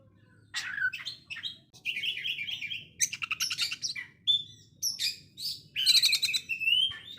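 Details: Oriental magpie-robin in varied konslet song, rough and sewing-machine-like. Sharp chirps and buzzy warbles alternate with short rapid rattles and steady whistled phrases, continuing without pause.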